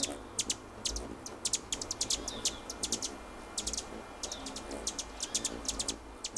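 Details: Hummingbirds, described as noisy and territorial, giving rapid, very high, sharp chirps in irregular bursts of two to five notes across the whole stretch, over a low, steady background hum.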